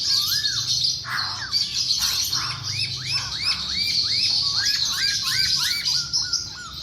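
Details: Masked laughingthrush song in full voice: a long run of loud, arched whistles repeated about three per second, ending in short clipped notes, over a dense high hiss of other chirping birds.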